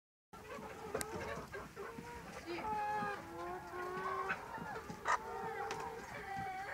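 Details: Domestic layer chickens kept for eggs or meat, a flock calling together: overlapping drawn-out, nasal, wavering clucks and squawks, with several birds sounding at once.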